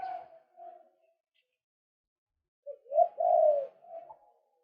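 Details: Male white-breasted waterhen lure call: a fading croaking note at the start, a long silence, then a rising set of loud rasping notes ending softer.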